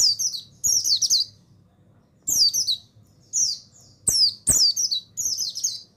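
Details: Male mountain white-eye song played as a lure to stimulate lazy males into full singing. Loud, very high chirpy phrases tumble downward in rapid half-second bursts, separated by short silent gaps, with a faint low hum between bursts.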